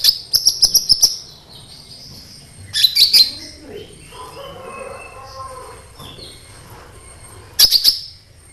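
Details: Sunbird ('kolibri ninja') lure song to set other sunbirds singing: three bursts of rapid, very high sharp chirps separated by quieter gaps holding faint, lower background murmurs.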